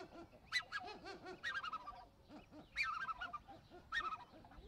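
Black-necked swans give soft, arched hooting notes in quick runs, mixed with higher, wheezy honks rising and falling over about five seconds.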